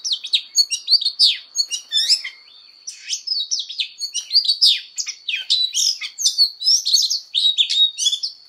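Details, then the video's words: Oriental magpie-robin singing a fighting song during fired-up voice training: a rapid, varied run of bright whistles, slurred trills and sharp chirps, with a brief pause just past two seconds. A steady high thin tone runs underneath. "Choè than hót đấu/Choè than hót luyện giọng căng lửa/Choè than hót"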